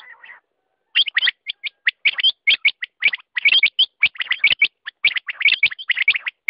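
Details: Quail after a soft buzzy opening, then a long steady stream of sharp, high chirps in tight pairs and clusters with very short gaps.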